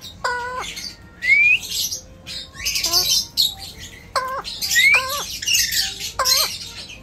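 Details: Talking pet Alexandrine parakeet: repeated harsh, stacked squawks that bend downward, mixed with short rising whistles and breathy, word-like mumbles between them.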